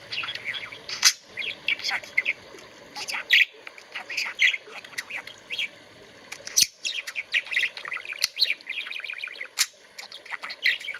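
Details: A budgerigar playing with a wristwatch chatters continuously in bright, rapid warbles and chirps, with occasional sharp clicks.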